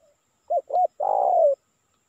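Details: One phrase of spotted dove lure call meant to attract wild birds: a pair of brief rounded notes and then a long, vibrating coo easing downward, clean and quiet background.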